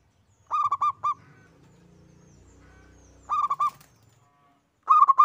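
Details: Local zebra dove, a single bird singing actively. Three stuttering, mellow cooing phrases of rapid pulsed notes, the first two close together and a third near the end, separated by near silence with a faint low hum.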